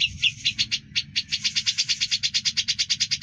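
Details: Rapid pulsed song of a grey-cheeked bulbul in ngebren style, clear and continuous, for training other birds: about six harsh notes a second, evenly repeated over a faint low hum.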